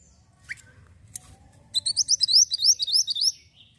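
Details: Javan white-eye singing steadily for training other birds: a few isolated chirps, then a quick cascade of roughly ten sharply rising, sweet high notes in a tight burst, recorded clearly with only a soft low rumble behind.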